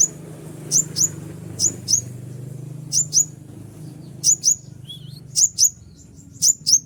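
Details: Konin calling to lure wild birds: sharp high whistled downslurs, usually paired, repeated about once a second, with one lower wavering note in between and a steady low background hum.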